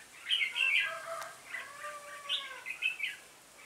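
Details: Red-whiskered bulbul decoy luring wild birds during trapping on 26 November 2017: clear chirped notes with lower, longer whistled tones sliding beneath them, then a few bright twittering bursts.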